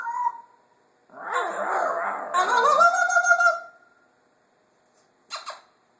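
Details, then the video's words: Pet parrot at home, described as unusually talkative that day though usually flaring up and hissing at its owner: a brief mid-pitched vocal note, then a long harsh raspy screech blending into a rising squawky utterance, and two short clicks near the end. "Our Parrot At Work. "Hello Baby""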